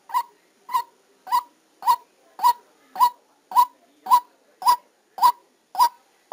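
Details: A decoy white-breasted waterhen recorded live during trapping gives a steady run of short, hoarse, nasal notes, about eleven in six seconds. The rhythm is even and there is no other sound.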